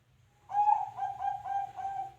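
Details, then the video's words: Zebra dove giving a soft cooing phrase: a mid-pitched lead note, then a quick string of four or five rolling, bubbling coos at an even pitch, faint low hum beneath. "suara burung perkutut"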